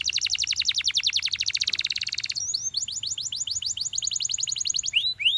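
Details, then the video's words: A Belgian canary sings to get other canaries singing, opening with a fast even rattle of clipped notes, then changing to quicker upward-flicking whistles and ending in a few rising slurred phrases. "Belgian Canary Seducing Friends to Sing!"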